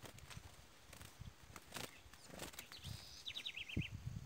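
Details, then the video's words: A curió (Chestnut-bellied Seed-Finch) gives a quick burst of high notes followed by a descending run near the end. It was recorded outdoors while a loose black curió that had fought was being caught, with footsteps and rustling in the background. "CURIÓ PARAZÃO - Pensei que não iria finalizar o Curió Preto."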